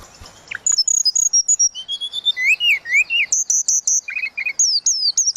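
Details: Tledekan laut singing continuously: long high whistled phrases, wavering slurs, lower rising whistles and rapid choppy notes strung into a busy, varied song.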